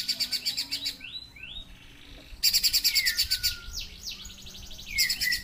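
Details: Streaked spiderhunter, actively singing: a rattling series of sharp chips, two upslurred whistles, then a louder burst of rapid chips mixed with descending swept notes, and more chips near the end.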